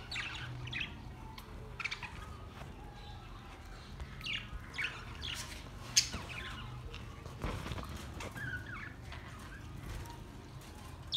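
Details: Budgies at play, sharp chirps and short squawks scattered through the recording with pauses between, over a steady low hum.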